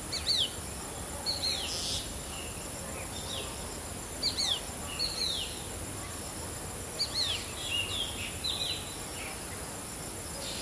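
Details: Black drongo mimicking a shikra: three bursts, each a sharp, high, down-slurred note then a lower one, about three seconds apart, over a constant high insect hiss.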